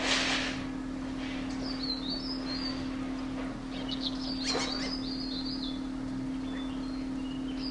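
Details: Dark-throated thrush (Turdus ruficollis) in Landour, Mussoorie, Himalaya, 26 March 2014, foraging at a hollow in an old maple trunk among 200+ in a ravine, giving thin, very high, short notes at irregular intervals, faint over a steady low hum.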